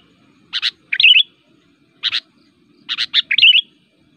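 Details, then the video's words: Sooty-headed bulbul, called kutilang, singing a fierce fighter song to provoke rivals: double chips each followed by a loud liquid warbled flourish, repeated in two phrases about two seconds apart. "burung kutilang gacor, super fighter, ngotot aktif bikin emosi"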